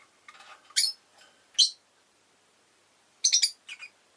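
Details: Rosy-faced lovebird, a pet, giving harsh high chirps: two single squeals a second apart, a pause, then a quick stuttering cluster of three to four buzzy notes, with faint chatter beneath.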